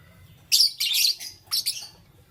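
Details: Morning chirping of lovebirds in green, yellow and lutino colours: a few loud, harsh, high chirps grouped in two quick clusters, then quiet with a faint low hum.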